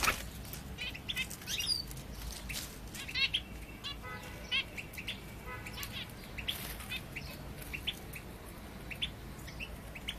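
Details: Egyptian bulbul giving scattered short chirps and brief warbled phrases, spaced irregularly, over a noisy outdoor background with a low rumble.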